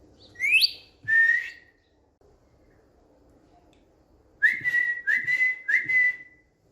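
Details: On a bed indoors, a pet Indian green ringneck parrot gives two whistles, the first swooping upward, then after a quiet gap three quick level whistled notes in a row.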